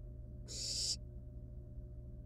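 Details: A loud, swelling breathy hiss from a wild barn owl nestling at its nest while the young birds play with and eat a live rat; faint hum continues afterward.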